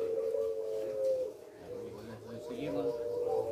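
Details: Barbary dove (puter pelung) at a songbird contest, Situbondo, 24 April 2022: long, low, steady coos, one drawn out over a second and another near the end, with murmured voices in the background.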